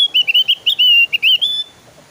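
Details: Lively song of a Javan grey-throated white-eye, played to lure other birds into singing: a rapid string of high, clear whistled notes, wavering and slurred, about ten phrases in under two seconds, then silence.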